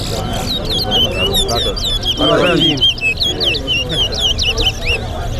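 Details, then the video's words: At a Lusignan bird-ground whistling contest between Georgetown and Berbice birds, a towa towa delivers a fast, continuous run of bright, swooping whistled notes while a man counts numbers aloud and others talk. "G/TOWN VS BERBICE TOWA TOWA BIRD WHISTLING COMPETITION AT LUSIGNAN BIRD GROUND"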